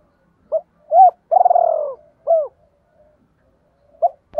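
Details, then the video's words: Captive decoy spotted dove in the 'double voice' calling style, used to lure wild doves: two short hooked coos, a long purring rolled coo that slides downward, then a further short coo, with more short coos after a pause. "Tiếng Chim Cu Mồi GIỌNG ĐÔI Gáy Gọi Hay Nhất/ tiếng chim cu gáy kích"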